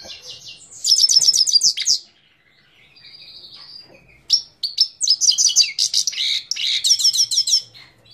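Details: Himalayan goldfinch from Parachinar, Pakistan, singing in 2022: rapid bursts of high, buzzy, twittering notes with fast trills, broken by a brief quiet gap and a thin drawn-out whistle before the chattering phrases resume.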